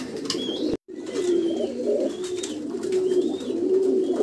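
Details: Black mukhi pigeon cooing indoors: low, throaty, rolling coos repeated over a steady background murmur of other pigeons, with faint higher chirps from other birds.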